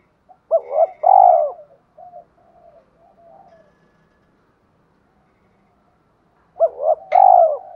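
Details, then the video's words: Spotted dove cooing to provoke wild doves and train decoy birds, with two loud bursts of deep, rounded coos, one at the start and one near the end, separated by quiet, softer notes. "Tiếng chim cu gáy kích bổi mới nhanh nổi, giúp bổi rất xiêng gáy và luyện chim mồi căng lửa"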